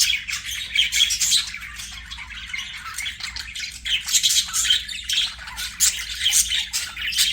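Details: Budgerigars chattering as they play. A continuous, busy warble of buzzy notes, short squeaks and clicks goes on at a moderate volume throughout.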